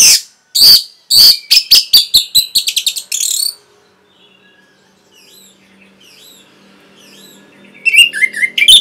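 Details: Orange-headed thrush song used as a masteran training recording for caged birds. Loud, sharp, buzzy bursts of rapid notes open the clip, followed by a pause, soft high twittering, then more bright rising and falling phrases.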